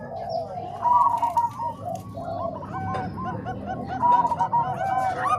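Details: Training mix of Bangkok and Cemani Kolbuntet zebra dove songs: overlapping bubbling coos of short arched notes, with louder bursts around one second and again after four seconds.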